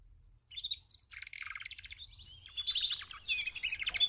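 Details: Four female canaries giving mating calls meant to motivate males to sing: high, buzzy trilled phrases with short pauses, growing louder and denser toward the end over a faint low hum.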